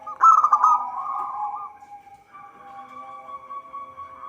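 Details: Local zebra dove with a song used to lure birds into traps: one loud stuttered cooing burst melting into a softer rolling trill, then a quieter, drawn-out trilling tone to the end; a faint constant hum underneath.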